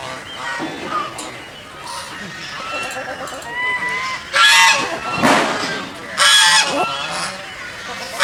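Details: Geese swimming in a pond honk loudly in harsh, nasal bursts, two strong outbursts about two seconds apart with quieter calls between, over a steady background hiss.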